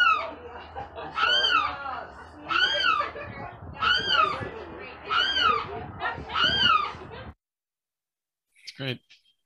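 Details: A limpkin perched in the open at the Celery Fields, Sarasota, Florida, gives five loud, harsh, wailing screams, each rising then falling, about every second and a half; a short click follows after a pause.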